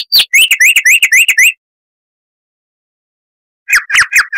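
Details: Sylvia subcaerulea, the chestnut-vented warbler of scrub and dry river margins in southern Africa, giving a brisk series of clear, upward-flicking notes, a pause, then several lower sliding notes.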